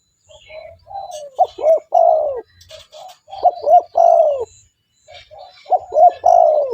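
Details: Spotted dove, a lively calling bird used to lure wild spotted doves, giving three cooing phrases, each two short hollow notes followed by a long drawn-out falling coo, about every two and a half seconds, with faint chirps behind.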